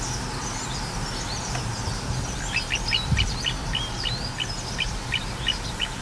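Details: Little ringed plover recorded 14 April 2021, a faint series of short, evenly spaced high notes repeated about twice a second through the second half, over steady low background rumble and scattered distant chirps.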